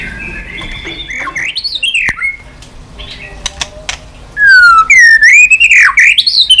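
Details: White-rumped shama singing a lure song meant to rouse other shamas into singing: rich, sliding whistles rising and falling, a few clicks, then strong, loud warbled phrases with wavering pitch.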